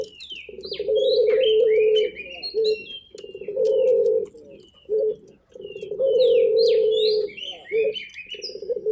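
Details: Local turtle dove cooing energetically in repeated bouts: long, rich, pulsing coos alternate with shorter clipped notes. Many high, sliding chirps of small birds sound above them.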